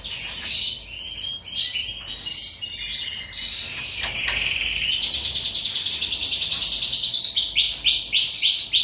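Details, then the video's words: Canaries in a breeding aviary at the start of the 2021 breeding season, in snowy weather, with birds being paired for mating: a continuous, high, varied warble of rapid twittering phrases, ending in a fast rolling trill of repeated notes. "KANARYA ÇİFTLEŞMESİ"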